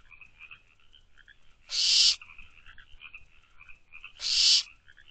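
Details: At night in a nest box, 24 May 2023, barn owl owlets produce two rasping, noisy hisses about two and a half seconds apart, each near half a second, over a soft, persistent high trill.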